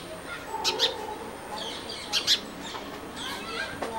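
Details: Brahminy starling seen close up in Amravati: bursts of sharp, high chattering notes in short clusters every second or so, over a steady low background hum.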